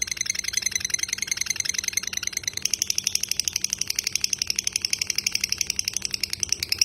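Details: Extended ngekek chattering by a lovebird, recorded as a training tutor. A dense, fast trill of high, buzzy notes persists throughout, growing slightly stronger in its second half.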